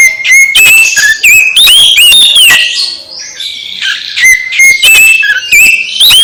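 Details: Oriental magpie-robin song used to stimulate another magpie-robin: fast varied whistling with rising slurs and clicks, a softer scratchy warble midway, then bright level whistles return.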